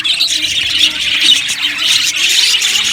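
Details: Continuous budgerigar chatter from an aviary colony: shrill warbling and squeaky chirps from many birds blend into one dense wash of sound.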